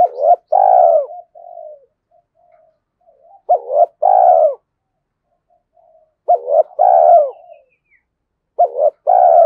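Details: Decoy spotted dove calling to bring wild doves closer; four bursts of paired sharp coos running into a throaty purr, with faint soft murmurs between phrases.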